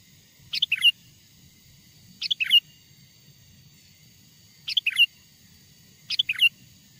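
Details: Lure song of a wild sooty-headed bulbul, meant to make wild bulbuls respond and approach: four brisk two-part chirping phrases with gaps of one to two seconds, otherwise quiet apart from a soft low hum.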